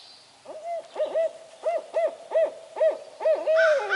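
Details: Barred owl at Sax Zim Bog, hooting and fending off crows, giving a quick run of about nine short, rising-and-falling hoots, roughly two each second, ending in a harsher, noisier note.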